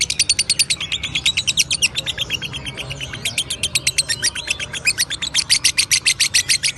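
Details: Long lovebird ngekek chatter: strident high notes repeated very rapidly and almost without pause for nearly seven seconds, growing louder and more regular toward the end.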